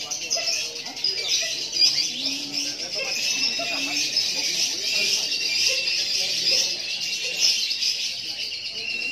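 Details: Lovebird kept as a competition fighter bird, recently moulted, singing long and without pause on the hanging perch: dense, continuous high-pitched chattering and trilling that runs unbroken through the whole stretch, with faint murmuring voices underneath.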